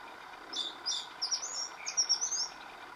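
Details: Oriental magpie-robin song, part of recordings spanning several days, each with a new tune; a brief run of high, thin whistled notes and quick trills over faint steady background noise.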